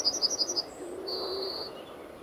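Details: Male yellowhammer perched in a tree at a nature reserve entrance, RSPB Fowlmere, on an early morning in late March 2015: five quick high chipping notes, then one long drawn-out high note.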